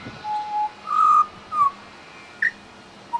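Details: Pied Butcherbird singing and imitating local sounds in a Brisbane suburb, Australia: a few mellow, flute-like whistles, a low steady note, then a louder rising one, followed by two brief higher notes after pauses.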